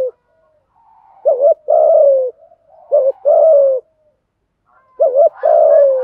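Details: Male and female spotted doves cooing in the 'thúc gù' style, used to urge caged decoy birds to call. Three paired phrases: a brief quavering note followed by a longer, gently descending coo. Faint low murmurs between phrases.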